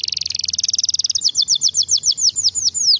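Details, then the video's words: Canary singing a rapid buzzing trill that slows into a series of distinct downward-sweeping whistled notes, loud and clear against a quiet background. "langsung nyautt dan gacor lagi gak?"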